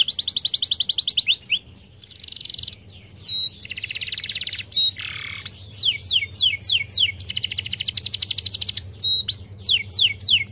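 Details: Canary in long, continuous song meant to stimulate silent canaries: rapid buzzy trills, a brief pause, harsh rasps and flat whistles, then descending sweeps and another long fast trill.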